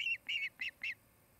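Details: Osprey at a nest near Charlo, Montana, where a pair is building and courting: four short, shrill whistled chirps, the first longer and falling, the rest clipped and spaced about a quarter second apart.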